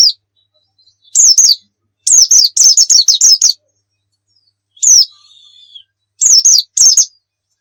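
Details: Oriental white-eye singing energetically, kept for tutoring other birds: bursts of high, thin, wavering chirps in quick clusters, with gaps of silence between phrases and a short drawn-out whistle near the middle.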